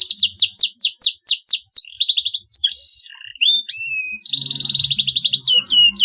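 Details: Canary singing at length, said to trigger rivals into answering song: evenly repeated downslurred chirps about twice a second, a few clear whistled slides, then a dense rapid trill broken by sharp notes.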